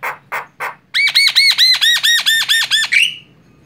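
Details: Javan myna, white-eyed, lure call meant to draw other birds: three short rasping notes, then about nine loud, harsh, evenly spaced down-curving squawks in quick succession, ending in a brief rising note; clean, quiet background.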